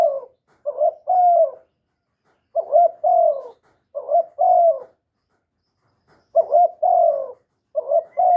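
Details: Young male spotted dove giving loud calls, recorded free of background noise: stuttered low coos followed by longer sliding coos, phrases clustered in bursts with gaps of over a second between them.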